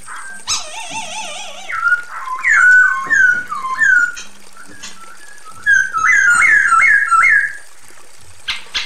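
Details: Calling female Chinese hwamei, addressing the male: a wavering trilled whistle opens the run. Looping slurred whistles and a rapid burst of bouncing whistled notes follow.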